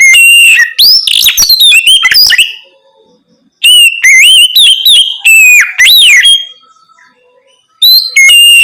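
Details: Oriental magpie-robin in loud nocturnal song, used to coax other birds into singing; busy phrases of whistles and harsh notes, then clear rising and falling whistles, with quiet gaps between bursts.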